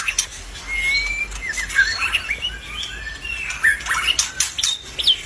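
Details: Albino white-rumped shama in lively, energetic song: a busy, varied run of sharp chirps, whistled slurs and short twittering phrases packed closely together, with a faint steady hiss underneath.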